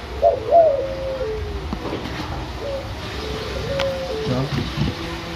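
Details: Spotted dove (derkuku), a tame six-month-old white backspot juvenile kept at a bird farm in Semarang, giving low soft coos early on, followed by quieter faint coo notes against background noise.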